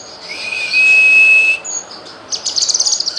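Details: Cucak kinoy kept as a master bird for teaching song variations to other songbirds: a long steady high whistle, a short sharp note, then a rapid run of high chirping notes.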